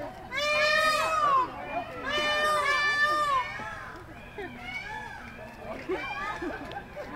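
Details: Calling for mates, peacocks at Cape May Zoo give loud, wailing, harmonic-rich cries, two prominent drawn-out calls followed by fainter, shorter calls, with some background voices.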